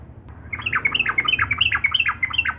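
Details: Energetic sooty-headed bulbul singing to provoke rival birds, a rapid string of bright, downward-slurred chirps pouring out without a break after a brief quiet start, over a faint low hum.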